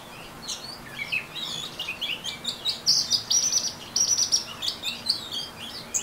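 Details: Orange-headed thrush, ngeriwik style: rapid high chatter mixed with several sustained thin whistles on one pitch, phrases repeating about every second.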